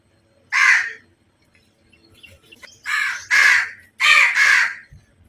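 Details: Crows calling, a compilation described as a flock and as fighting crows: one harsh caw near the start, then after a pause two pairs of loud, raspy caws in quick succession.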